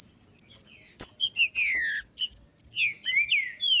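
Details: In a woodland setting, a green-winged saltator gives loud, sliding whistles that fall in pitch, one long downward slur then rising-falling phrases, over scattered high chirps from other birds and a constant thin high tone.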